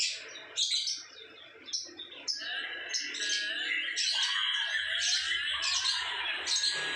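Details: Lovebird in ngekek song, also termed ngecor, with loud, harsh, high chatter that begins in separate bursts and then runs into an almost continuous scratchy stream of notes.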